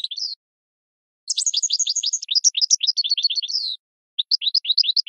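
A goldfinch sings a rapid, liquid run of tinkling, twittering notes in high bursts, with a brief pause before another quick phrase; nothing else is heard.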